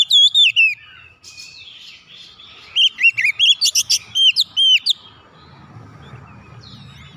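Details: Oriental magpie-robin giving clear whistled song, aimed at getting silent magpie-robins to sing: a short burst at the start, then a longer varied phrase of slurred and sharp whistles, then a low hum.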